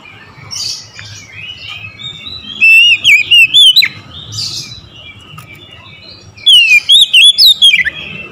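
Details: Morning song of an Oriental magpie-robin, two separate bursts of loud, rapid whistled phrases with twisting, slurred notes, divided by several seconds of soft background hiss and faint distant chirps.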